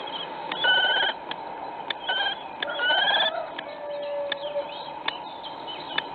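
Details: Common kestrel preparing its nest, caught on a nest webcam at Théding, 4 April 2019; several whining, even-pitched calls, two longer and slightly rising, alongside scattered clicks and a constant low hum.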